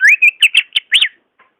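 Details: Greater green leafbird, real song offered to encourage reluctant leafbirds: a short, loud phrase of sliding, upward whistles and arched, bubbly notes run together, fading with a faint final note.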